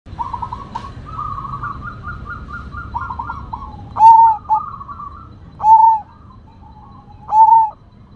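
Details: Zebra dove of the Sumbawa type, described as rare and a strong, big-voiced singer: a run of rapid stuttering trilled notes, then loud, clear, slightly falling coos repeated roughly every one and a half seconds, over low background rumble.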